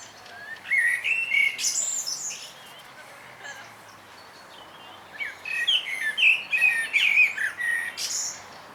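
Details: Evening in a park in Zamość, Poland, where a lost thrush fledgling takes its first steps; scattered high chirps and squeaky slurred notes in two bursts separated by a quieter gap, with soft background hiss.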